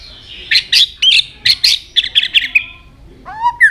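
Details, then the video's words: White-rumped shama singing many varied notes, changing voice while flicking its tail nonstop; a rapid series of loud rattling chips and buzzy notes, then a rising and falling whistled phrase. "chòe lửa hót nhiều giọng đảo giọng đập đuôi liên tục"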